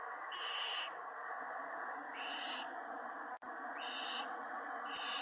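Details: Owl nest on 19 March 2017, evening, with the male delivering mice and a rabbit to his mate and young; drawn-out rasping hisses repeat every second or two, backed by continuous hum and a brief click.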